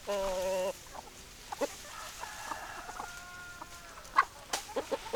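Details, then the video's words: Chickens, hens and roosters: a loud, steady, harmonic squawk opens, then a faint drawn-out tonal call runs for about a second and a half, followed by a few short scattered clucks and clicks. "Chicken Sounds Noises Hens Clucking Roosters Crowing"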